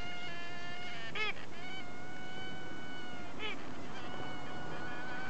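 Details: A hybrid cockatoo, Solomons cockatoo (Cacatua ducorpsii) × Little corella (Cacatua sanguinea), gives two brief, harsh, nasal squawks about two seconds apart over a steady whining hum and low room rumble.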